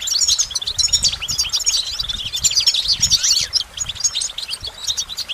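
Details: High, sparkling goldfinch twitter: fast, jangling phrases with short buzzy trills pour out continuously, a brief swooping note near the middle, with quiet low thuds beneath.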